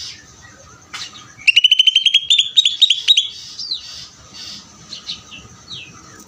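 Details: Greater green leafbird ngeder song, one loud burst of roughly a dozen rapid sharp chirps lasting about two seconds, followed by softer falling whistles fading out over low background noise.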